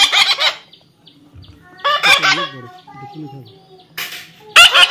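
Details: Harsh, grating squawks from a baby parrot being tamed, given in uneven bursts roughly every two seconds, with softer wavering croaks in between and a faint steady tone behind.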